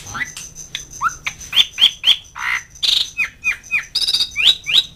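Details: Asian pied starling calling to companions and rivals, giving a quick string of short whistled and squawky notes, several sharply falling, with one lower slurred whistle, repeated about four times a second, over a faint low hum.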